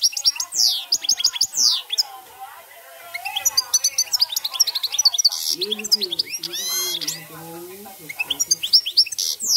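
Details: European goldfinch singing campero style, long continuous flow of fast, liquid, tinkling twitters, sweeping chirps and trills, with a low human voice briefly audible midway.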